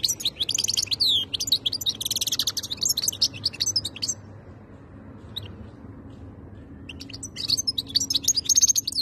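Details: European goldfinch, known as khaloui, pours out rapid liquid twittering for several seconds, falls quiet, then starts another bright tinkling burst toward the end.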